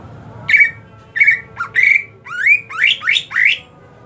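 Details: Greater green leafbird during the hot season: a varied phrase of harsh squawks and a low chip, then four rapid rising slurred whistles, loud and buzzy.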